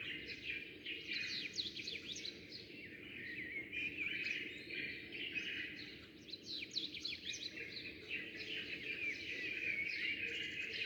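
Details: A flock of sparrows at daybreak, birds coming and going. A busy, continuous tangle of bright chirps and tweets overlaps without pause. The chatter dips briefly near the sixth second, then swells again, over a faint low rumble.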